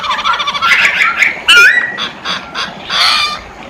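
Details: Masked laughingthrush singing actively, in loud, harsh, chattering phrases mixed with short whistled notes and buzzy bursts, in several uneven pulses.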